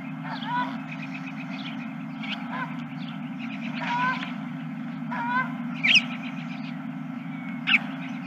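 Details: Geese recorded at night on 31 March 2023, about 21:26; scattered harmonic honks and short nasal calls from several birds, louder ones near six and eight seconds, over a steady low mechanical hum.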